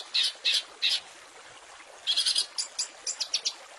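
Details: Long-tailed shrike master recording made for training songbirds such as magpie robins and other small birds: short harsh chattering bursts, three at the start, then after a pause a denser run of scratchy notes and quick chips.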